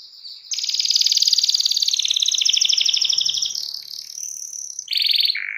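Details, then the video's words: Canary singing in a lively, vigorous style, used to spur other canaries into song: a long rapid rattling trill of high notes, gradually sliding lower, followed by brief whistled phrases and a short fast buzzy burst. "KENARI MANA YANG GAK BUNYI SETELAH DENGAR KENARI GACOR INI"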